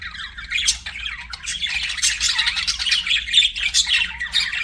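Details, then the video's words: Chattering budgerigars kept as pets, a steady stream of short rasping squawks, fast warbled twitters and occasional sharp whistled peeps rising and falling throughout. "BUDGIE CHIRPING SOUNDS"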